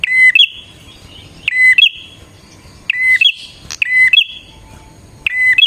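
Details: Bar-winged prinia singing, used to draw in wild prinias. Five phrases come about every 1.3 seconds, each a sharp tick, a steady whistle and a rippling trill fading into a high buzz. A faint click sounds midway.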